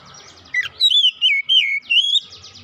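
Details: Oriental magpie-robin singing in gacor style, a set of five loud whistled notes that rise and fall and slur downward, delivered in quick succession, over a faint low hum.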